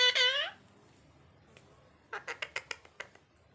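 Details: Parrot letting out a loud, harsh, wavering squawk, then after a pause a quick series of dry, clicking, rasping pulses.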